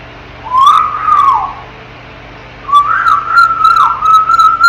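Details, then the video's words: Pet African grey parrot, ten months old, in its crib: two clear whistled phrases, the first rising then sliding down, the second held and wavering with small dips, in a quiet room. "AFRICAN GREY PARROT TALKING AND MAKING SOUNDS"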